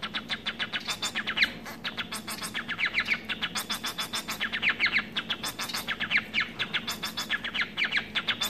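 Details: Pet society finch, a munia hybrid, singing a long stream of quick, scratchy, buzzy notes in clustered bursts, rising and falling in loudness, over a faint continuous low hum.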